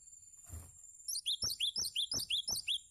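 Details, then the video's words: A cinereous tit sings for tutoring other birds: a soft low thump, then eight crisp, high rising notes repeated rapidly and evenly, accompanied by a continuous faint high-pitched whine. "Masteran Gelatik Batu Untuk Mastering Burung Anda"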